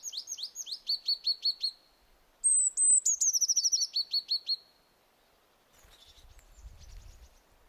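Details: Willow tit in vigorous voice: a rapid series of short, clear, downward-slurred whistled notes, then a higher sliding note leading into another quick descending run, ending with faint low rumble.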